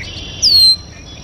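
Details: Red-winged blackbird at a local water basin giving a single loud, high, thin whistle that slides downward over about a third of a second, with faint background hiss.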